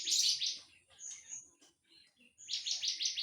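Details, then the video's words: Grey-cheeked bulbul (cucak jenggot) in full harsh song: high buzzy rasping bursts, scattered thin notes, then a series of repeated rasping notes, with faint background noise. "MASTERAN CUCAK JENGGOT FULL KASAR DAN BESETAN"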